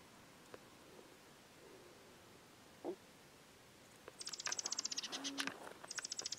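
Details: Juniper titmouse giving high, thin, buzzy chattering notes in rapid series, first a long run and then a shorter burst near the end, after several seconds of near quiet with a soft thud and a brief low tone.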